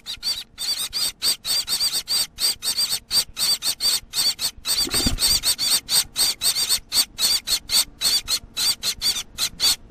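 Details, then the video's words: Baby Gouldian finch calling nonstop: rapid, rasping squeals with a quavering high tone, nearly four per second, one soft low thump midway. "Baby Gouldain Finch sound"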